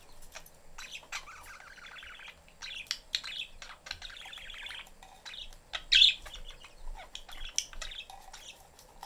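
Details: Pet budgerigars, parents and young, in a cage: steady scratchy warbling chatter with soft clicks, broken by one louder harsh chirp midway and further squeaky notes afterward.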